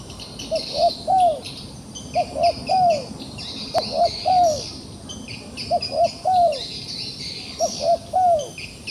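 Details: Trapped wild pigeon that is still fighting, giving soft cooing notes in groups of three, each group ending on a longer falling coo, repeated about every one and a half seconds over steady high insect buzzing.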